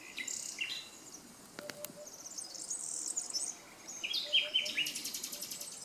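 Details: Nightingales singing along the Canal du Midi, near Le Somail in Languedoc, France: bursts of high whistles, sharp clicks and a fast stuttering trill late on, over a constant background of high chirping.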